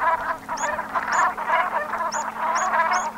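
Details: Brent geese at sunset in autumn, Gulf of Morbihan, Brittany, France, 7 November 2021: a dense, rolling chorus of overlapping murmuring calls from a flock, with a thin high note recurring roughly every half second.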